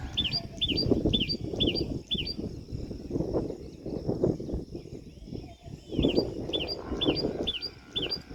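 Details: Common tailorbird calling: a loud, sharp series of five quick, high, squeaky notes, a pause of about three seconds, then another series of five, over steady low rumbling background noise.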